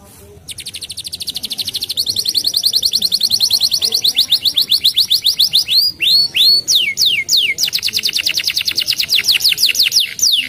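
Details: Canary song opening with a thin high buzz, then a long rapid trill of repeated downslurred chips, some loud looping whistled swoops in the middle, and another fast even trill to close.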